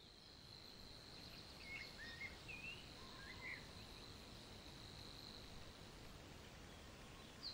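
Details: Savi's warbler in Puszcza Niepołomicka forest, Poland, June 2020: a faint, steady high buzzing reel running unbroken through the recording under hissing background noise, with a few short chirps from other birds.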